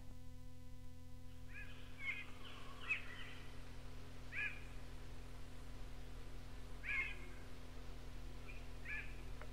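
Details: Barred cuckoo-shrike, also known as yellow-eyed cuckoo-shrike, from an old cassette of North Queensland tropical rainforest birds; short rising whistled notes given at uneven intervals of about two seconds over steady low tape hum.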